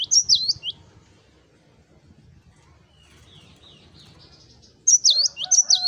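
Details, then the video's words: Cinereous tit singing the 'wucit wucit' style as a tutor recording: bursts of bright, wavering whistled notes at the start and end, fainter twittering between, and a low steady hum beneath. "GELATIK BATU Wucit wucit Gacor"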